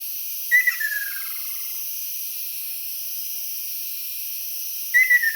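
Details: Ryukyu ruddy kingfisher calling on an island on 17 May 2022, one of many heard around the island: a clear note dropping into a fast, descending rolling trill, with a second call starting near the end over a steady high hiss.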